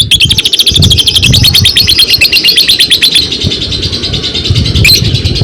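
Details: Fighter lovebird in long ngekek: a rapid, continuous chattering trill of harsh high notes, about eight per second for over three seconds, followed by a single sharp chirp; low rumble beneath.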